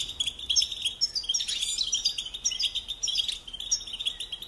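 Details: Singing European goldfinch: a fast, jumbled twitter of high notes, with a louder liquid flourish at mid-clip, over a persistent high chorus of more songbirds.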